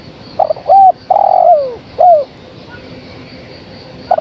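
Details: A female spotted dove calls the male with one complete phrase of stuttered notes, short arched coo, long falling coo and final slurred note, followed by quiet and the start of another phrase at the end.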